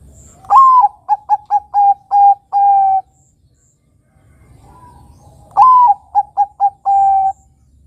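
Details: Zebra dove (perkutut), Bangkok strain, singing as a lure for juveniles: two full phrases, each opening with a rising slurred coo, followed by a rapid string of short coos and a long held final note, separated by a two-second pause.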